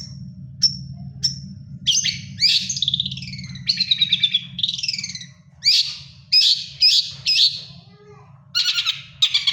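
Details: Long-tailed shrike still singing well during its moult: sharp high ticks, then a varied medley of rasping, chattering and whistled phrases broken by short pauses, with a low background hum.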